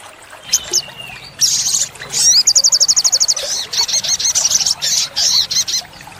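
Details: Olive-backed sunbird song for training caged birds: high, sharp chirps leading into a rapid, evenly spaced trill of about a dozen notes, then choppy twittering bursts, over faint low background noise.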